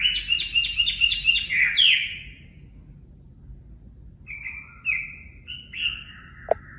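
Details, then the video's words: Chinese hwamei singing natural 'mộc' song, for caged-bird voice training: a rapid trill of buzzy repeated notes, a pause, then several level whistles and a single sharp click near the end. "Luyện giọng Họa Mi mộc"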